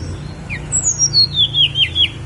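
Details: High, sweet whistles from a snowy-browed flycatcher on Mount Songgo Langit form a descending cascade of about seven slurred notes, each a little lower than the last, against a faint low hum.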